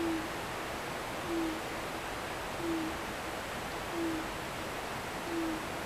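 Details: Owl heard after sunset from a hillside behind a home, giving five brief low hoots at an even pace of roughly one every 1.3 seconds, partly drowned by the continuous roar of river water.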